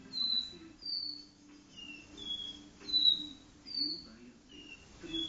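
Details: Indoor caboclinho giving its do-re-mi song in a living room, a series of clean whistled notes alternating higher and lower pitches, each drawn out and slurred, steadily repeated above a faint low hum.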